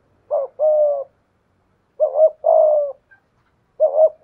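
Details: Decoy spotted dove with a 'thổ pha thúc' voice sparring with a wild dove through 'gù' coos. Two full phrases of a short undulating note then a sustained husky coo, about 1.7 seconds apart, with a third starting at the end.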